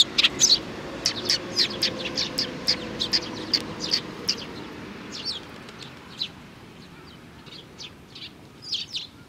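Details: Sparrows including a small youngster, 27 June 2019: a loud flurry of rapid high chirps at first, then softer scattered chirping from more distant birds.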